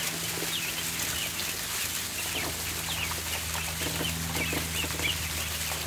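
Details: Ducklings in a barn at feeding time: scattered thin high peeps, some with a rising or falling slur, over busy rustling and pecking sounds and a low electrical hum.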